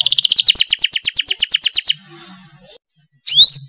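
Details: Canary song played to prompt lazy kept canaries to sing: a fast, even trill of sharp high notes for about two seconds, a pause, then a couple of bright rising whistled notes.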